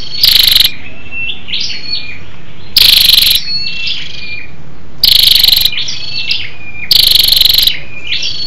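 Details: Female scarlet-backed flowerpecker calling to rouse males: four strong bursts of fast, buzzy high ticks roughly every two seconds, each followed by brief level and slightly falling thin whistles.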